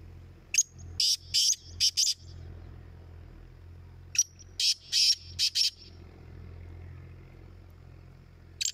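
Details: Black francolin in a calling competition gives two harsh, rasping phrases of several clipped, scratchy high notes, about four seconds apart, over a low steady background hum.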